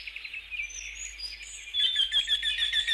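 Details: A Eurasian wryneck (Jynx torquilla) sings a fast run of ringing, slightly nasal notes, about three per second, over a busy chorus of high, thin whistles from other birds.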